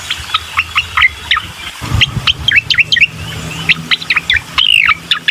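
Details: Bar-winged prinia song played as a lure to prompt a reluctant bird to sing: sharp, high chirped notes repeated quickly in uneven bursts, some rising, over a low rumble like a passing vehicle.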